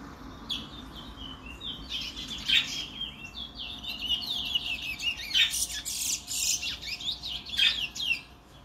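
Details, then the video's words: Brown towa towa, or chestnut-bellied seed finch, from Guyana, singing a rapid, continuous warbling song of sweet whistled and twittering notes, broken by sharp loud accents around the third, fifth and eighth seconds, over faint steady hum. "brown towa towa bird"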